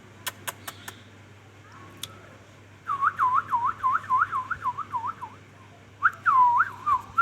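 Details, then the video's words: Ringneck parrot, a talking pet bird, giving a rapid series of wavering mid-pitched whistles that rise and fall in quick loops, about a dozen in a run, then a second burst after a pause; a few sharp clicks early on. "ringneck|parrot amazing| ringneck |talking"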